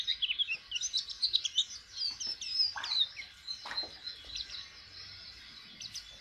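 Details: White-eye, a young bird learning to open its beak and sing, giving rapid high twittering notes and short warbled phrases, with a few lower chirps in the middle.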